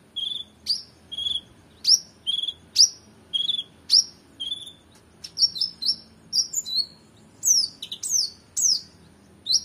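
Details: Oriental magpie-robin singing energetically as training material for competition songbirds: loud, sharp whistled notes sliding downward, repeated roughly once a second, then quicker varied twittering phrases toward the end.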